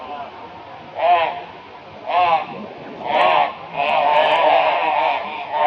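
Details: Crows mobbing a barn owl in Brisbane, Australia, February 2022; loud harsh nasal caws about once a second, ending in a longer run of overlapping raucous calls from several birds.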